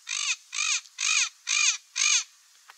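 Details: A parrot repeats five raucous, rasping squawks at an even pace of about one every half second. The calls are loud and buzzy with a slight down-curving tone, followed by a brief click at the end.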